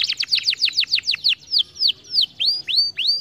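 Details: Canary song meant to get lazy canaries singing: a rapid run of sharp falling whistles slowing into spaced notes, the last few sweeping upward.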